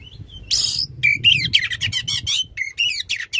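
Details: Loud oriental magpie-robin song with long bursts, used to stimulate a magpie-robin that stopped singing: a harsh rasp, then a rapid, varied sequence of whistles and buzzy chattering notes.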